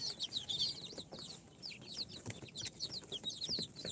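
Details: Incubator-hatched baby chicks on day four (Sultan, Golden Sebright, Cochin and booted breeds) peeping rapidly, with high, sharply descending chirps overlapping in quick bursts and faint scratching and shuffling noises.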